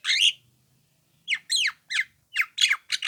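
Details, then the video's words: Javan myna, a young bird, making calls meant to provoke other mynas: loud harsh squawks and twisting, buzzy slurred notes, a pause, then several rapid rasping phrases. "SUARA PANCINGAN JALAK KEBO MUDA INI"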